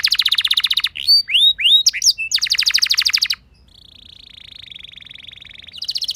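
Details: Canary singing to prompt other canaries: a rapid buzzy trill, a burst of upswept whistles, another fast trill, then a long soft steady rolling note before the trill returns.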